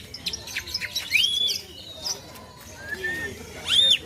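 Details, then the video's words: Greater green leafbird in jamtrok style, its song filled with imitations of the plaintive cuckoo: clear whistled notes, a sweeping rising-falling whistle near the start and a bright arched note at the end, amid chirps and faint background voices. "cucak ijo jamtrok,isian burung kedasih"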